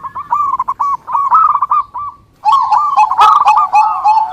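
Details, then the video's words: Zebra dove song for luring and training: quick stuttering coo notes, a brief lull, then a denser, louder rolling phrase with overlapping cooing lines. "SUARA Mp3 Burung Perkutut terbaru melatih, memikat perkutut"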